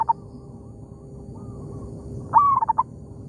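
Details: Zebra dove in oil palm plantation, answering a decoy: after a short soft note and a faint coo, one loud phrase with a rising opening note and four quick mellow trailing notes.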